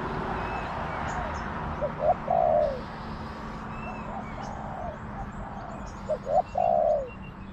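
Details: Spotted dove responding to a decoy in a garden, giving two crisp cooing phrases, short notes then a long falling coo, separated by a quiet gap, while small birds chirp and whistle high in the background.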